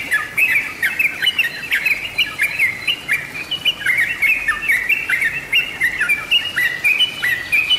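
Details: Yellow-vented bulbul lure recording, a continuous lively jumble of short rising and falling whistled chirps, quick and uneven, filling the whole eight seconds.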